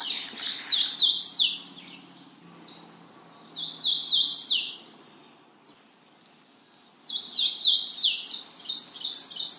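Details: Magnolia warbler repeating clear high warbled phrases of bouncing, stepped notes, three bursts spread over nearly ten seconds with short silences between, over a soft low background rumble.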